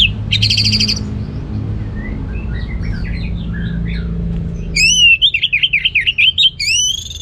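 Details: Caged orange-headed thrush from Singaraja, Bali, delivers a loud ngeplong song. A buzzy rattling burst opens, soft scattered twitters follow, then a fast run of sharply looping, wavering whistles ends the clip over low rumbling noise.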